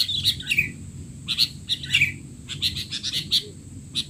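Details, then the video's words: Noisy, excited sooty-headed bulbul calls intended for young bulbuls; scattered sharp chirps and short squeaky phrases rise over a soft background hiss. "burung kutilang teler!! suara ribut paling cocok untuk kutilang bahan"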